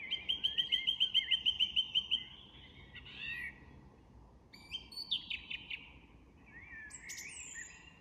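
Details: Song thrush singing at dusk in an English woodland: one clear high note repeated about a dozen times in quick succession, then varied twittering and whistled phrases after short pauses, with soft woodland background noise.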